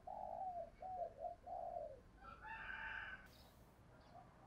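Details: Spotted dove's low, mellow coos open the phrase, then a louder, higher harsh call from another bird cuts in, with a soft noisy backdrop.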